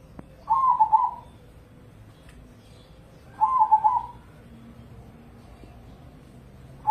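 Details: Indonesian crossing zebra dove, a caged contest bird, gives two trilled, warbling coo phrases about three seconds apart. Each phrase has a quick stuttering start and a drawn-out end. A faint low rumble sits underneath.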